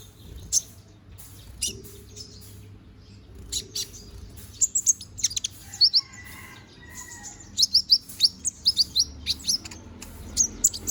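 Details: Bald young konin bird growing new feathers, in lively song: scattered sharp high chirps becoming quick runs of bright twittering notes with a few lower whistles in the middle, against faint low background noise.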